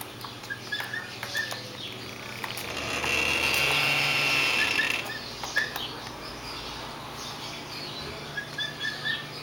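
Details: Emu chick giving short, high peeping notes in scattered runs of two or three, set against a steady hiss and a louder broad rushing noise midway through.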